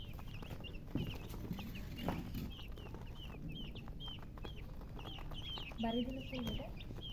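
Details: Baby chickens chirping: a steady stream of short, thin, high peeps, some rising and some falling, repeated several times a second, with a lower clucking burst near the end and a constant background hiss.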